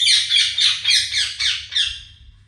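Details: Parrot vocalizing indoors in a loud, harsh run of about six quick raspy speech-like bursts that fade over two and a half seconds.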